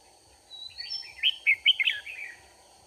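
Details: Red-whiskered bulbul at a trapping site using a decoy bird, 4 March 2019. A thin rising whistle leads into a lively, jumbled phrase of five or six loud, bouncing chirps lasting about a second, with a faint steady whine behind.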